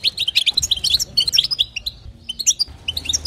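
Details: Female European goldfinch calling to stimulate the male: rapid bursts of high, twittering chirps and short buzzy notes, in quick clusters with brief pauses, continuing throughout.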